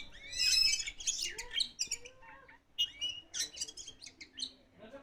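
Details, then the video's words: Kacer poci, an Oriental magpie-robin, in energetic song: clusters of bright, varied chirps and short whistles broken by brief pauses, ending in softer twittering notes. "Kacer Poci Mantap di Lepas Masih Gacor"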